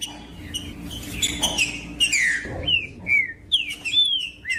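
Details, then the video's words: Green-winged saltator female call, played to warm up males and stimulate them to sing, mixed with a singing male: sharp high chirps, then a run of clear slurred whistles rising and falling, several per second, over faint low background hum. "PIADO DE FEMEA MACHEANDO🟢DESTRAVE SEU TRINCA FERRO FRIO🟢 COM TRINCA FERRO CANTANDO🟢"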